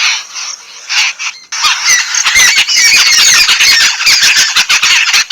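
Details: Bathing yellow-billed babblers, Sri Lanka, give a rasping, squeaky chatter: softer, hissy notes at first, then a loud burst of overlapping scratchy squawks repeated roughly twice a second.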